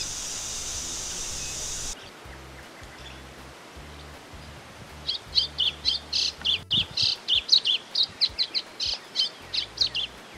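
White-throated Seedeater song: a quick run of sharp, high chirps, about three or four per second. A steady hiss opens the clip, with a low hum underneath.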